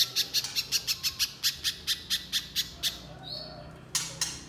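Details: Little spiderhunter singing a fast series of high, sharp chips that speeds up slightly, then stops; a brief thin whistle follows, then a few more sharp notes near the end.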